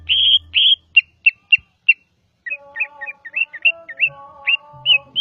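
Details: Javan greater green leafbird song: loud slurred whistles and sharp chips, then a pause and a quicker string of bouncy, twisting whistled notes over faint lower tonal sounds and a low hum.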